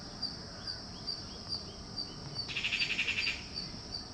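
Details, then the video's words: Unidentified bird with a peculiar voice giving one quick, even trill of about nine short, high notes lasting under a second, set against steady, regular cricket chirping throughout. "Unknown bird with peculiar voice"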